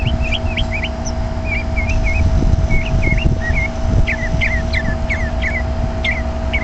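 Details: A bird in a bush chirping: short hooked whistled notes in pairs and triplets, repeated steadily about twice a second, over a loud steady hum and low rumbling background.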